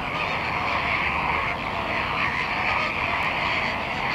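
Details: Salt lake at Larnaca, Cyprus, where massed flamingos keep up a continuous, even babble of honking calls with no pauses, many voices overlapping throughout.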